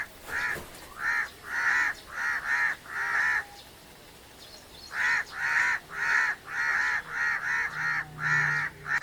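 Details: A crow gives rapid rasping caws in two bursts separated by a short pause, over low background noise and a faint steady low tone near the end.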